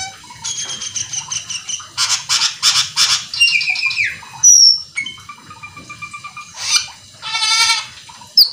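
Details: Cucak keling singing vigorously in a fast, full, varied song meant to stir other cucak keling into singing. Clear whistles and falling slurs alternate with harsh, buzzy bursts rich in harmonics, delivered in quick phrases with short gaps.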